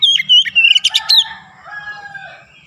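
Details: Kacer (Oriental magpie-robin) singing ngerol and nembak. A quick sequence of loud whistled slurs and sharp trilled notes lasts about a second, then fades into soft, drawn-out notes.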